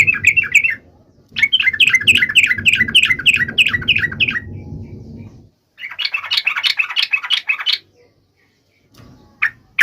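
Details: Lively, rapid sooty-headed bulbul phrases, each a string of bright chirping notes, separated by pauses, over a low humming background; played to set other trucuk birds singing.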